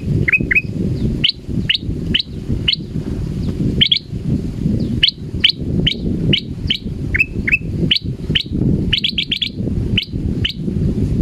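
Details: Frightened male sooty-headed bulbul hung beside a cliff edge: rapid series of sharp, high, downslurred chirps, some doubled, some in quick clusters, continuing steadily against a heavy low roar of wind.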